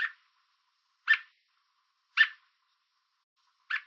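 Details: Four crisp, forceful chips from an American robin on a fence in Southern Ontario, Canada, spaced about a second apart, given as a warning to an intruder; otherwise silent surroundings.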